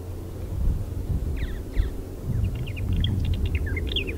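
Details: Purple martins singing on 5 August 2018 at Iona Beach on the Fraser River, Richmond, British Columbia, Canada: quick liquid gurgling notes and short warbles building in density, over a steady low rumble.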